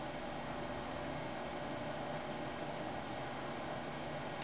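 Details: Steady broadband hiss with a faint hum fills the whole recording, with no animal sound present.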